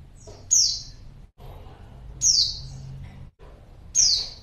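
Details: Female white-eye calling to lure a male: three high, thin, descending chirps, each a quick downward sweep, spaced about every one and a half seconds over a low background hum.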